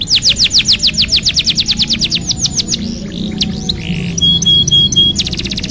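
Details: Canary song used to coax a silent bird back into singing: rapid descending whistles give way to varied warbles and a steady high trilled tone, then a renewed burst of quick notes.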